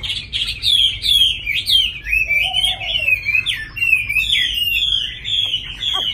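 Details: Caged, hand-tamed Chinese hwamei in Hà Nội singing continuously: fast, bright whistled notes tumbling in quick rising and falling runs, with a short low warble mid-phrase and a sharp click near the end.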